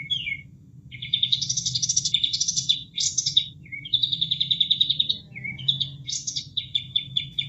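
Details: Kapas tembak bulbul, a caged bird recorded to teach other songbirds, delivers long buzzy chattering phrases broken by short dipping notes, set against a continuous gentle sound of flowing water.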